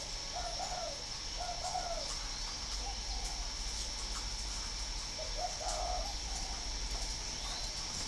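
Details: ['Spotted dove from a breeding farm in Ba Vì near Hanoi, northern Vietnam: low, muffled cooing notes in short bursts spaced a few seconds apart, under a constant high-pitched buzzing background hiss.']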